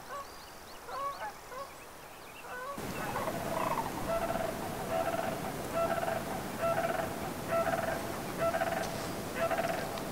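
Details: Sandhill Cranes outside Yellowstone National Park give rolling, rattling bugles in a steady series of short bursts over loud wind or rushing-water noise; a few small bird chirps come first.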